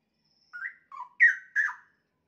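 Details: One-year-old straw-headed bulbul kept in a cage, a frequent singer with a varied repertoire, giving a short phrase of four liquid whistled notes, rising then falling, the third loudest.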